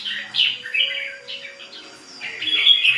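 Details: Ché bird in steady song. Loud bursts of bright warbling alternate with a softer, quieter stretch, then the bird returns to strong slurred whistles at the end.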